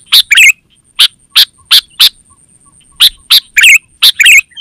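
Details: Sooty-headed bulbul (kutilang) used for luring wild birds and training caged ones: evenly spaced sharp chip notes about every third of a second, opening and closing with bubbly, warbling whistled phrases, a faint high tone throughout.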